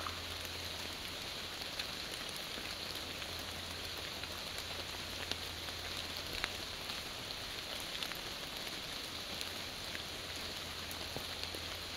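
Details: Steady rain pattering on leaves and surfaces, with scattered drop hits and no animal calls.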